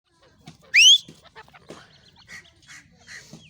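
A female francolin gives one loud, sharp, upward-sweeping squeal, followed by several faint, softer chirps and clicks.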